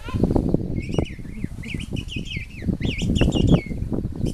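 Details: A King penguin mother feeding her chick at the King Penguin reserve in Tierra del Fuego, Chile, in April 2021 gives thin, wavering whistled calls over a heavy rumble of wind.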